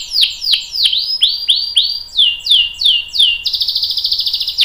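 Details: Canary delivering a long roll to draw other canaries into song: slurred descending whistles repeated in groups, shifting pitch, then breaking into a rapid rattling trill at the end.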